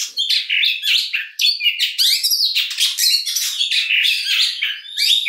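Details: Oriental magpie-robin, kacer, singing dense, loud scratchy phrases of rich varied notes, harsh chatters mixed with sweet whistled slurs, packed almost without a break.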